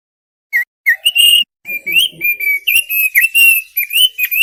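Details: Thick-billed heleia song used as a tutor recording: loud, varied whistled phrases, some sustained and level, others short, slurred and warbling, strung together almost without pause after a few opening notes.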